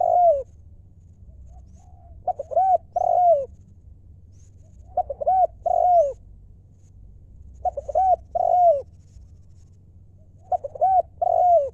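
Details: Ground-decoy spotted dove, wild, from Thailand, singing the lio style. Four even phrases come about every three seconds, each two or three short coos followed by a long mellow downward-curving note, with faint low hum throughout.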